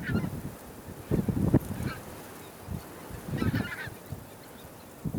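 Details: A small group of Tundra bean geese (Anser serrirostris) gives deep, nasal honks in ragged bursts, a few closely spaced calls every second or two, over a low background rumble; Texel, Holland, 28 December 2012.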